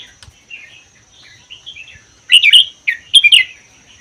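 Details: Wild-caught Vietnam–Laos red-whiskered bulbul kept in a cage for a year, whose song is described as 80% doubled and played to urge other bulbuls to sing; soft warbles build into loud, clustered chirpy notes near the end.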